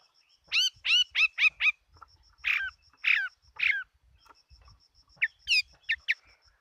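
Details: Chinese hwamei in competition singing, giving a quick series of sharp downslurred notes, a few harsher calls, then short clear whistles, with faint low rumbling and a steady high background tone.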